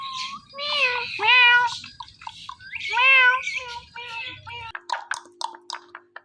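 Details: Indoor ringneck parrot gives two long, loud meow imitations with falling harmonics, several shorter yelps, then a quick series of soft clicks; low music in the background.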